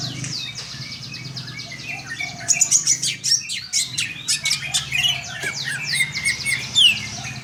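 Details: Greater green leafbird in song, delivering a long run of fast chirps, sweeping whistles and dense scratchy trills that build after a quieter start, with a faint background hum.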